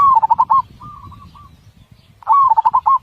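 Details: Zebra dove song, powerful voice with tightly spaced beats: a loud rapid pulsed coo, a quieter fainter purring phrase, then another loud bubbling coo after a short pause.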